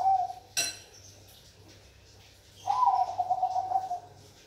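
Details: Bangkok-type zebra dove (perkutut Bangkok): the tail of one coo, then a sharp metallic clink, then a long, trembling, slightly falling coo over a low steady hum in a room.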